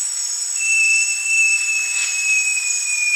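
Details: Song of a great jacamar, Jacamerops aureus: one sustained, thin whistle held nearly level and drifting slightly downward for over two seconds, with continuous high-pitched insect buzzing behind it.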